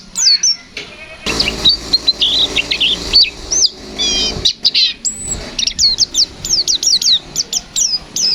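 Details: White-eye in 'gacor fighter ngalas nembak' song style. A varied, rapid string of high notes mixing buzzy trills, slurred whistles and quick chips, ending in a fast series of sharp descending whistles.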